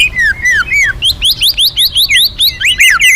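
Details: Loud magpie-robin song meant as a lure for other birds, made of quick looping whistles, some falling and some rising, repeated about four times per second in a steady, bright pattern.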